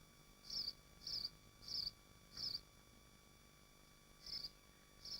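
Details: At a swift nest in Machynlleth, Dyfi Biosphere, six loud, high, buzzy screams ring out, four in quick regular succession, then a pause before two more; little else besides a faint hum.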